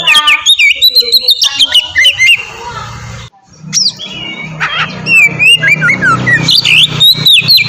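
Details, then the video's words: Oriental magpie-robin in ngeplong singing style, used as a master song for captive birds: rapid whistles and chirps, a rushing noise burst for about a second, then lively varied whistled phrases and rising slurs. "suara burung kacer ngeplong merdu sangat ampuh buat pancingan kacer bahan bikin cepat gacor"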